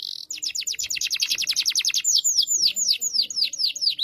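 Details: Canary in full song for a young learning canary, Indonesia: a long very rapid trill of high repeated notes, shifting after two seconds to slower loud swooping whistles, roughly three per second.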